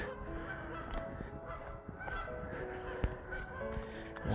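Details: Geese on a park lake in Middletown, New York, on 11 March after overnight snow give a loose, overlapping chorus of nasal honks, several birds at once, over a steady low rumble of wind noise.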